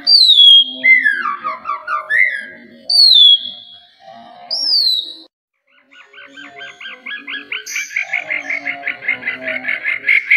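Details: Oriental magpie-robin singing to prompt quiet birds: a few bright falling whistles and warbles, a brief silence, then a steady, rapidly repeated buzzy trill that runs to the end.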